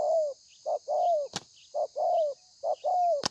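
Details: Wild-caught spotted dove, thổ pha coo style, 30/11/2020: three phrases, each a short low note followed by a longer coo sliding downward at the end; two sharp clicks or knocks interrupt between phrases.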